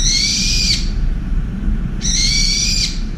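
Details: Angry brown-eared bulbul at a window feeder shrieking to drive off a wild pigeon that displaced it: two harsh, piercing, drawn-out screeches, each under a second, about a second apart, over low background rumble.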